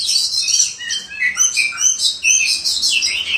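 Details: Short burst of kacer (white-rumped shama) song in the ngobra style: dense, loud high-pitched whistles and chattering trills, with swooping notes dipping lower between rapid phrases.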